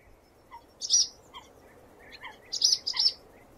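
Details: Swallow singing, a few sharp high chirps in a short pair then a tight cluster of three, with faint lower whistled notes between them over quiet background hiss.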